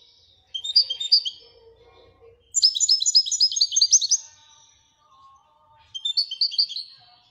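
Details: Royal European goldfinch singing in three bursts of quick bright twittering, the middle phrase a long rapid rattling run, with faint low hum and soft tones in the background.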